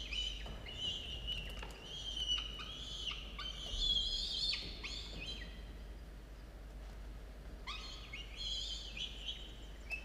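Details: Two falcon chicks, 17 and 13 days old, in a nest watched by a university nest camera, recorded at 06:02 on 27 October 2022; harsh, wavering, harmonic calls in long overlapping bouts, with a short pause before a final burst.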